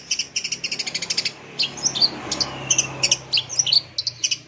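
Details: Long-tailed shrike song played to stimulate caged shrikes that have stopped singing: quick bursts of clipped, ticking notes, then scattered sharper chirps and short whistles over a steady low hum.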